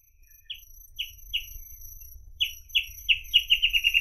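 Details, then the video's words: A reed parrotbill (Paradoxornis heudei) sings short, high, slightly down-slurred notes: a few spaced ones, then a quickening run of about eight, over a faint steady insect hum. "Голоса птиц Как поёт Сутора тростниковая"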